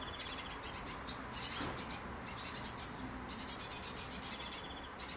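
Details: Four baby birds being fed by their mother on a terrace. High, buzzy chirps come in rapid pulsing bursts of about a second each, repeating with short gaps, over faint background hum.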